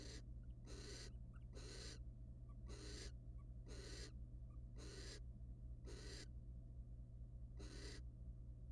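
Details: Barn owls in the wild at a nest box, male copulating with and then preening the female; rapid series of eight loud, broadband rasping hisses, roughly one per second, over a droning low hum.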